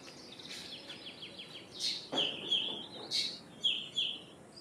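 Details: Common myna calling: a quick series of faint descending chirps, then loud croaking and gurgling notes with clear whistled phrases, repeated several times over a few seconds.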